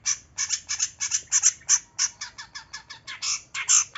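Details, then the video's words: Cendet, or long-tailed shrike, in a lure recording for a bird reluctant to sing: a steady string of harsh, squawky, grating notes, about four per second, loud and unbroken throughout. "PANCINGAN cendet males bunyi"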